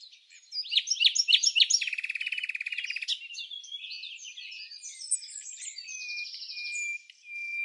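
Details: Red-backed fairy-wrens interacting in the non-breeding season at Samsonvale, Australia: quick high chips lead into a long, even, buzzy trill, followed by softer scattered twittering and a thin sustained high reel.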